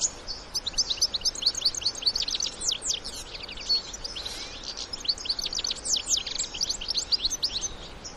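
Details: European goldfinches, adults and young together in the wild, keep up a continuous, busy stream of high tinkling chirps and short trilled notes over a light hiss of outdoor noise.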